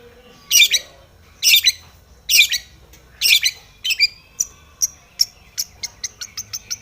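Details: Long-tailed shrike, aggressive and seeking a rival, giving four loud harsh rasps about a second apart, followed by sharp high ticks that quicken toward the end.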